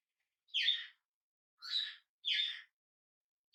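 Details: Newly arrived hand-reared budgerigar calls in loud harsh chirps, three clear notes spaced under a second apart plus the start of a fourth, in a quiet room.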